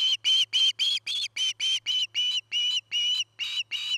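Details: Osprey at its nest near treetops in Charlo, Montana, on 09-08-2018, recorded by a nest camera: loud, evenly paced series of high, piercing whistled notes, about three or four per second, continuing without pause.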